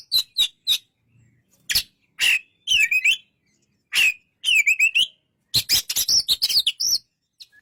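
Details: Oriental magpie-robin delivering scattered sharp chips, then warbled whistled phrases with a trilling quality. A dense flurry of high, rapid notes closes the passage.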